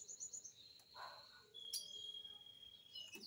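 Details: Green-winged saltator song played to teach a chick: high, thin whistles and a long, steady whistled note held for over a second, with a brief sharp chirp partway through.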